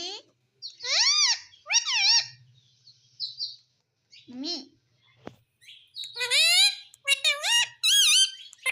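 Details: A parrot talking: a run of harsh, harmonic, speech-like syllables rising and falling in pitch, in short bursts separated by pauses, with a brief click in the middle and a quiet room behind.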